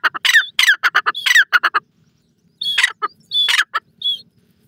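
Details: Grey francolin calling loudly at close range: harsh, ringing notes repeated in quick bursts, with short pauses between phrases and a quiet background.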